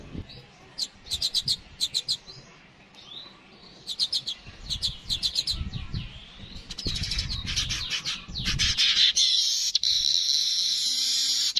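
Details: Streaked weaver, called manyar kepala kuning, recorded in natural voice: short bursts of sharp high chips at first, building into a continuous buzzy, sizzling chatter, with some low rumbling underneath.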